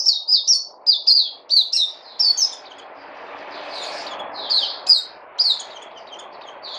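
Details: Captive bird sings clusters of piercing, high chirps in short bursts, a quieter gap with low droning noise, then more clipped notes.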